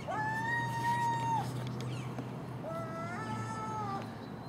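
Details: Common gulls at dawn, feeding on garbage left outside a house alongside a magpie and a crow: two long, drawn-out mewing calls, level then slightly falling, separated by a short gap, over a steady low hum.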